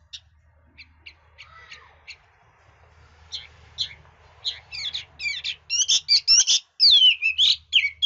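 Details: Chinese hwamei singing in a varied, voice-switching style: sparse short chirps at first, building to loud rapid runs of whistled, twisting notes in the second half. Low hum underneath.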